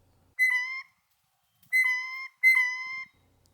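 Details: A Blue Jay bobbing its body up and down gives three squeaky-gate calls, a display with territorial and courtship functions; each call is a clear, musical two-note whistle with a rich ringing tone, the last two close together.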